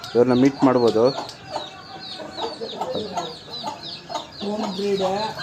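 An Aseel rooster gives a low, hoarse, two-part crow, then shorter throaty clucking calls. Small birds chirp high in the background, and a voice briefly speaks.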